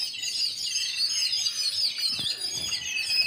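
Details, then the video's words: Many sparrows chirp together in a steady, shrill chatter of rapid high notes; a brief low thud sounds near the middle. "Sparrow Chirping Sound"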